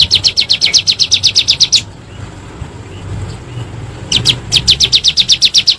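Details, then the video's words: Bar-winged prinia calling in 'nembak' style, used as a lure for kept birds: bursts of fast, high, evenly spaced chips, broken by a two-second gap of low background hum before the rattle resumes. "PANCINGAN SUARA BURUNG CIBLEK GUNUNG NEMBAK"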